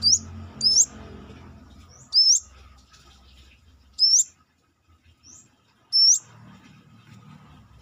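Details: Brown-throated sunbird (manggar) singing outside the cage, a quick pair of shrill rising notes then single ones every one to two seconds, with fainter notes between and low background rumble.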